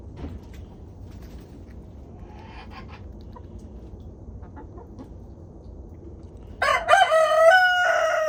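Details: Homestead chickens enjoying a 20-degree warmup to 37 degrees. A few quiet clucks are followed by a rooster breaking into a loud, strongly harmonic crow near the end, cut off while still sounding.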